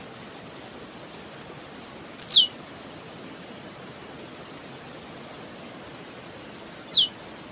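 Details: Blue-black grassquit song in nature: a run of tiny high ticks speeds up into a short, intense buzzy burst that drops steeply in pitch. Two such phrases about five seconds apart over quiet background hiss.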